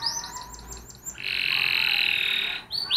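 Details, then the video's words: Spanish Timbrado canary singing: a quick run of high, arched chirps, then a long, steady, rolling trill of about one and a half seconds, ending with more rising swept notes. "Timbrado Kanarya Ötüşü - Spanish Timbrado Canary Song"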